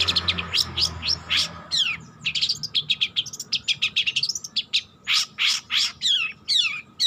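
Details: Young long-tailed shrike practising its song, a busy jumble of sharp chips, quick twittering runs and sweeping slurred whistles that grows louder in the second half. A low hum sits beneath.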